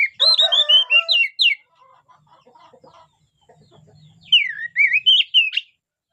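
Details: Oriental magpie-robin giving bright whistled song bursts: a fast descending string of notes, then a pause with faint background sounds, then a swooping, rising and falling whistled phrase.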